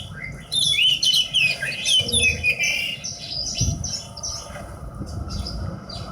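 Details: Horsfield's bush lark, known locally as branjangan, singing a rich, varied burst of twittering, slurred whistles and rapid chirps for about three seconds, then softer scattered notes over a low background rumble.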